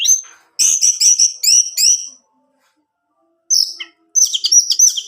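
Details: Orange-headed thrush song used to get a kept male singing: four rapid buzzy, harmonic-rich notes, a long silence, then a high whistle and a tumbling jumble of chirps.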